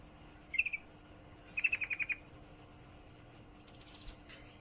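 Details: Female yellow-vented bulbul calling a male while in heat: a short four-note chip burst, then a longer slower run of seven sharp notes, followed by faint buzzy higher sounds.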